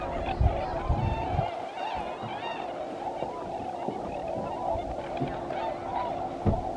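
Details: Tundra swans resting and refueling at Alymer while migrating from the southeastern United States to Arctic breeding grounds, where thousands stop. A dense chorus of overlapping honking, whooping calls from many birds, with low thumps and a steady background hum.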